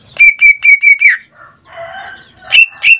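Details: Captive greater green leafbird: four quick level whistled notes in a row, a soft murmur, then two more sharp bright whistles.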